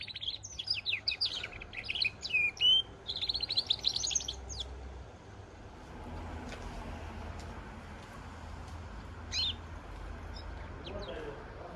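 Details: Goldfinch and canary hybrid giving a burst of rapid twittering and whistled song for about five seconds, then mostly quiet with a few isolated chirps over a low background hum.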